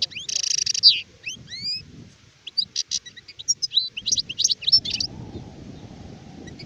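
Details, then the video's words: Adult European goldfinch (sharif) opening with a harsh buzzy note, then rising slurred whistles and a scattered series of sharp twittering chirps, with background noise toward the end. "تغريد حسون كهل (شارف)"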